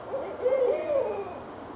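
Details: Owls calling back and forth from the trees in Richmond, Virginia, on a January night in 2012; a wavering, hollow hoot swells and slides slightly upward mid-call, about one second long, over low steady background hum.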